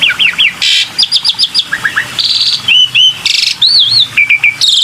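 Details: Black-winged myna lure sound: quick sets of looping whistles, rasping buzzy bursts and wavy warbled notes, delivered loud and close with short gaps.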